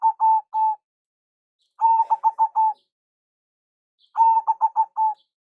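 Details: Zebra dove, local perkutut, lure call: three short phrases about two seconds apart, each a quick cluster of four or five clipped coos ending in a longer note.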